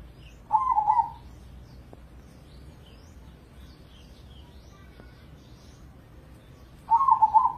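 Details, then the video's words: Zebra dove of crossbred contest stock, a recording meant to prompt other doves to sing. Two short, burry, rolling coos are spaced about six seconds apart, with quiet background and a couple of faint clicks between. "Pancingan Pekutut Crossing Gacor Dorr"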